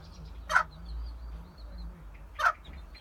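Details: Mother hen accompanied by young chicks gives two abrupt, harsh clucks roughly two seconds apart; soft high chick peeps flicker faintly in the background over a low rumbling hum.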